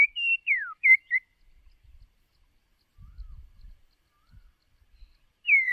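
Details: White-rumped shama decoy bird singing for voice training: a few clear, sliding whistles, one falling steeply, then a pause with faint low rumbling and a final descending whistle.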